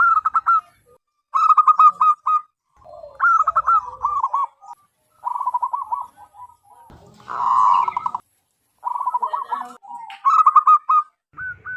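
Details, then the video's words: A wild-type local zebra dove (perkutut) with a big, loud voice gives stuttering, trilled coos in short bursts every second or two, with a brief rustling noise partway through; used as a lure call. "PERKUTUT LOKAL ALAM GACOR SUARA BESAR DAN LANTANG"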